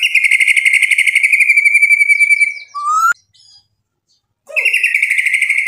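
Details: White-rumped shama song as a lure: a long buzzy rattling trill, a short rising whistle, a pause of about a second, then the rattling trill resumes.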